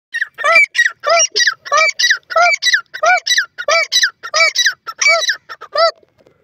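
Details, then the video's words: ['Francolin calling in a fast series of harsh, squeaky notes, about one and a half per second, each a stack of ringing overtones that rises then falls, with short silent gaps between notes.'] "The Enchanting Voice of a Pheasant Bird"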